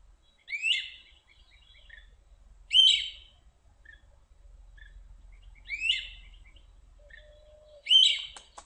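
Great crested flycatcher giving four loud, emphatic rising wheeps roughly every two to three seconds, with faint soft notes in between.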